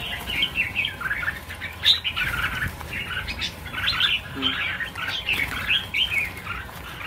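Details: A large flock of red-whiskered bulbuls, 1000 birds being freed, keeps up continuous overlapping twittering and chirping, rising and falling in loudness.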